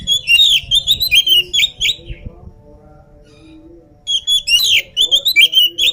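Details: Oriental magpie-robin, energetic and not yet fed, sings two dense bursts of fast chattering, whistled notes mixed with high squeaky elements, split by a silent gap of about two seconds; faint low rumble underneath.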